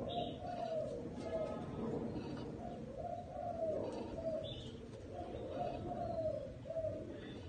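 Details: Spotted dove cooing in a small garden, a continuous run of mellow two-part coos with gentle rises and falls, accompanied by brief high chirps from other birds.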